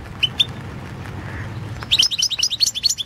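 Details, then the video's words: European goldfinch entered in the 2016 world championship of goldfinch song: two lone high notes, then a rapid liquid twittering run of bright chirps at the end. "Pesma štiglića Potić Slobodan 011/2016 World championship in Goldfinch Song 2016"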